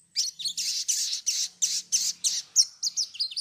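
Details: Sogon heard as a singing lure: a steady string of loud, high, raspy chirps at roughly three per second, shifting near the end to thinner, whistled notes.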